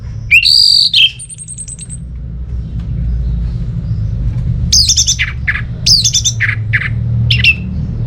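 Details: Orange-headed thrush in full song, used to coax silent birds kept at home into singing: a loud whistled note, a fast high rattling trill, then sharp descending phrases repeated about once a second over a low constant hum.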